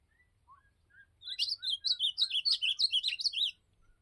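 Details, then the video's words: Ultramarine grosbeak (azulão) on a campeada outing: a few soft lower notes lead into a lively two-second warble, a dense run of quick, rising and falling chirps delivered almost without pause, then quiet. "Campeada de Azulão"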